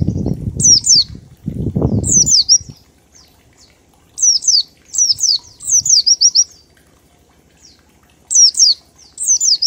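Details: Pleci, or oriental white-eye, in ngalas song with 1234 beats, used as a lure to make other birds sing: clusters of sharp, high, falling chirps in repeated short groups, preceded by loud low rustling flutter at the start.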